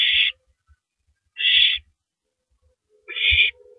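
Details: At 3:33 AM on April 9, 2012, an owl shreds and swallows a big rabbit; three noisy, rasping screeches spaced over a second apart, with faint bumping and knocking sounds below.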